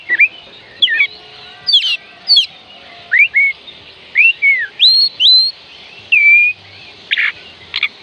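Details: Song of the Oriental magpie-robin, aimed at prompting lazy birds to sing: clear arching and rising whistles in well-spaced phrases, a few sharp chips and a harsh note late on, over a low hum.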